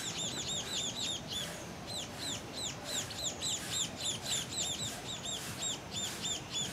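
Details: Two young Scaly-breasted Munias (Lonchura punctulata particeps) at Tangkoko, Sulawesi, Indonesia, on 22 Aug 2014 beg for food with thin, high, slurred peeps, several at once and about three a second, as they fly back into the nest, over low rumble.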